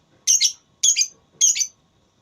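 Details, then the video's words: Lovebird in a singing contest: three harsh, double-pulsed squawking chirps spaced about half a second apart, buzzy and high. "Lovebird Tarung Suara"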